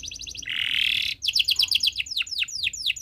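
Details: Canary tutor song for young learning birds, long chirping: a fast ticking trill, a harsh buzzy roll, then a steady series of high whistles sweeping downward, repeated several times per second.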